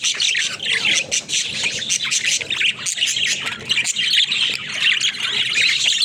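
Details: Budgerigars, a pet flock, playing in their cage: loud unbroken high-pitched chattering and warbling from several birds at once, with scattered clicks.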